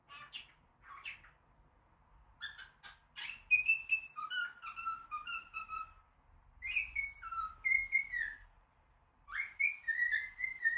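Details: A pet cockatiel that has learned to say "WTF" imitates the short phrase in clear, whistled syllables mixed with sharp chirps.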